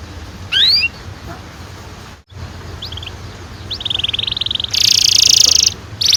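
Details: Canary song used as a lure to stimulate young canaries to sing, in the long-rolling style: a single bright rising whistle, scattered short notes, then a fast buzzy trill and a dense loud roll near the end.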